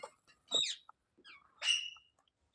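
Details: Ringneck parakeet kept at home in India uttering short, squeaky chirps and a shrill rising-then-flat whistle, with quiet gaps between notes.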